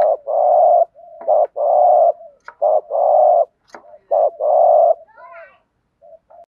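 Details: Captive decoy spotted dove cooing in the thúc gù style of repeated phrases: low, mellow, wavering short notes alternating with drawn-out level coos, four phrases in quick succession, a few sharp clicks and a faint chirping trail.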